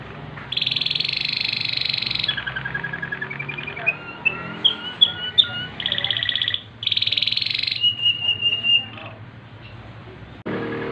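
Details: Waterslager canary singing at night: loud rapid buzzy trills alternate with clear whistled notes and short upward slurred phrases, then a bubbling tour; low background hum throughout.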